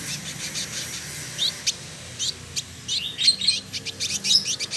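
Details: Male village indigobird, trotol, caged in Bandung, West Java, Indonesia, mixes scratchy chatter and clicks with short high whistled slurs in an uneven, busy phrase.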